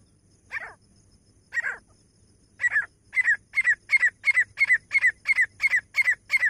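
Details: Grey francolin (teetar), labelled as Pakistani, calling loudly: two slower, harsh, scratchy notes, then a steady, accelerating run of sharp two-part notes about three per second, each with a clear falling whistle, against a quiet background.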